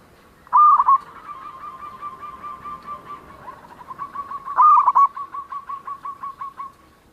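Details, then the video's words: Singing local zebra dove: two loud bursts of quick bending coos several seconds apart, each followed by a long, fading run of rapid pulsed trill notes. "perkutut lokal gacor_ suara mempunyai ciri has"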